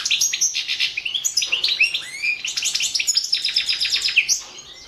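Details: Balkan European goldfinch in a goldfinch song championship: a long, fast stream of bright twitters, rattles and slurred notes, loud and almost continuous for over four seconds.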